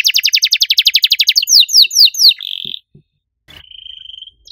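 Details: Canary singing loudly with a unique style: a fast, even rattling trill of about four notes a second, then slower falling slurs, a buzzy held note, a brief pause with faint knocks, and a thin high whistle.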